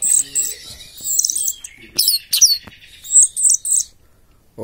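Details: Orange-headed thrush in 'teler' singing style, uttering scattered high sharp whistles and chirped notes in short clusters, with a low background rumble and a brief low thump at the end.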